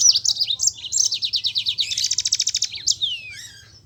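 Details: Rolling song of a yellow-fronted canary, kept as a prompt for lazy singers: fast pulsed high trills that quicken into a dense rattle, ending in a slurred downward whistle, all under four seconds.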